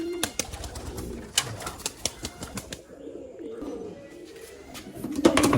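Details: Kept pigeons, including an excited male, going wild over grit being fed to them: sharp repeated clicks and wing flaps over a soft, low cooing murmur, with faint background rustling.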